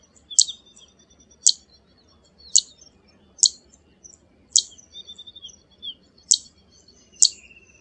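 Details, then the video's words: Zitting cisticola (Cisticola juncidis) call: sharp, high clicking 'zit' notes, one roughly every second, with a few softer chips between them. "Tiếng chim Chiền chiện đồng hung | Chiền chiện xám ✅Zitting Cisticola call | นกยอดข้าวหางแพนลาย"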